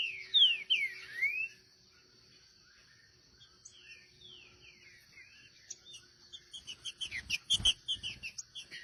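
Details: Wild green-winged saltator from a pair gives a short phrase of three bright down-slurred whistles at the start. Softer scattered chirps follow, with a constant high insect drone and a burst of clicking rustle near the end.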